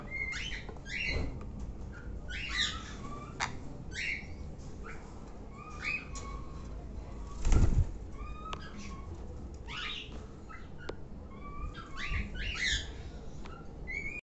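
A sun conure gives harsh, scratchy squawks in short bursts over a low rumbling background.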